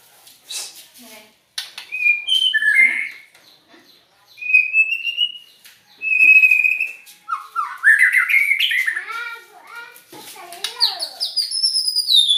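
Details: White-rumped shama giving strange song: spaced clear whistles separated by pauses, then a quick tumbling series of slurred notes and high rising whistles, with faint clicks between phrases.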